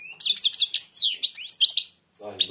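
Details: Goldfinch that is blind, singing with its beak nearly shut. A quick run of high tinkling notes and short rising slurs fills most of the passage, then pauses before a man's voice and one last note.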